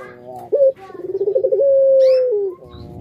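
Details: Single long coo from a kept Indonesian puter pelung dove. An abrupt short note and a fast stuttering roll lead into a drawn-out level tone that dips before stopping.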